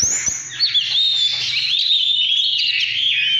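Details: Intense 'căn lửa' song of an Oriental magpie-robin, 2017: a high, sustained, fluttering warble of closely packed whistled notes, preceded by a couple of soft knocks.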